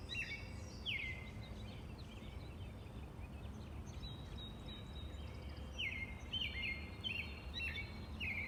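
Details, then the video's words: Robin song in the open, with bright chirps that drop in pitch, given in irregular bursts against steady low environmental noise. "The peaceful sounds of the Robin bird"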